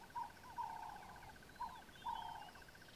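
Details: Burchell's coucal recorded near Satara Rest Camp, Kruger National Park: low hollow notes, short and long, some bending downward, over an even pulsing background trill and thin high whistles of other birds.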